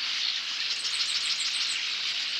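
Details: A flock of at least 250 bank swallows (sand martins) erupts from a marsh roost at 5:27 a.m. in late June or early July at Lake Helena, Montana, under a smoke-hazy dawn sky, filling the air with a dense, continuous wash of high, buzzy twitters.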